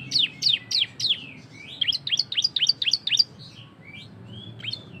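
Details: Cisem in vigorous song used to coax other birds to sing: a quick series of high, steeply falling chirps, each sharply struck, followed by softer scattered whistled notes near the end.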